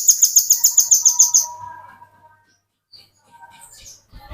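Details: Velvet-fronted nuthatch in vigorous song, used to tutor other birds: a fast, very regular trill of about twelve shrill repeated notes, then a soft, steady lower whistle and a few faint chips.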